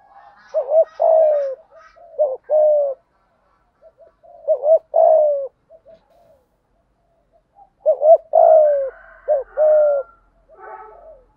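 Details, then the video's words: Lure spotted dove cooing thúc gù, full sequence in giọng thổ voice: irregular phrases of short double notes and long low coos, with soft trailing murmurs and pauses. "chim cu mồi thúc gù đủ bài"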